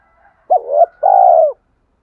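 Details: One spotted dove phrase used to stir decoy birds into cooing: a quick wavering note, a brief gap, then a long steady coo that drops slightly at the end, in a quiet setting.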